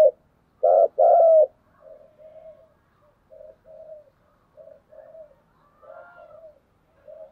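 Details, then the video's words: Spotted dove giving its fighting coo: two loud, rough, mid-pitched coo phrases open the passage, followed by a run of softer, shorter coos repeated at an uneven pace, with a faint higher note near the end. "cu gáy thúc đấu & cu gáy thúc gù"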